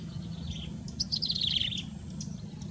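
A yellow-bellied prinia gives a quick, high, slightly descending chirping phrase lasting under a second, over a steady low rumble of background noise.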